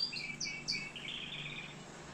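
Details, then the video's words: Canary from Algeria in a short burst of song: a few high whistled notes and slurred phrases, ending in a sustained warbling note over a low background hum. "كناري صوة جميل"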